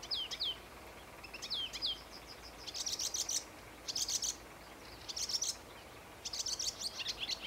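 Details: Marsh warbler at Homolka fishponds near Velké Poříčí, Czech Republic, on 8 May 2015: thin high whistled slurs alternating with dense chattering bursts of rapid scratchy notes every second or so, over steady background hiss.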